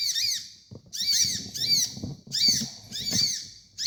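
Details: Training master of a sunbird called kolibri ninja: short bursts of high twittering chatter with curved, slurred notes, repeated roughly every second. Low thumps and rumbling sound underneath.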